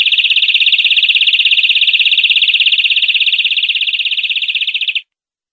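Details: European greenfinch song from a tutor recording used to train captive greenfinches: a long, loud, fast buzzy trill held at an even high pitch for about five seconds, fading slightly before it stops. The background is clean.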